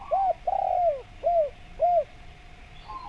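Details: Spotted dove calling to attract companions, for luring wild doves. One short coo comes first, then a long drawn coo that falls away, then two separate rounded coos, with a faint low hum underneath.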